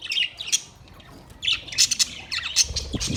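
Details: Budgerigars chirping: bursts of scratchy, squawking chatter and sharp high chirps, irregular and overlapping, with quieter gaps between flurries.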